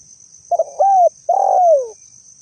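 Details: Lure call of a spotted dove: short double stutter, a flat sustained coo, and a final long coo sagging downward, all low and mellow over a persistent thin high hum.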